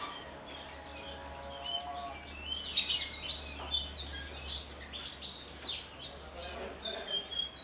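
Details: Caged Javan bush lark native to Kulon Progo, Indonesia, held in a large collection and singing in the Jambul style. Faint speech-like tones open the recording, then a dense run of high, buzzy, sweeping chirps and quick whistled notes follows.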